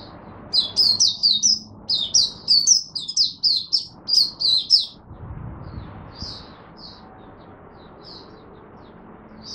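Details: Oriental white-eye in Singapore, 23 March 2023, on a humid, warm, rainy, overcast day, giving buka sing (opening song): rapid clusters of high, sweet twittering chirps for five seconds, then a few scattered single notes against quiet background hum.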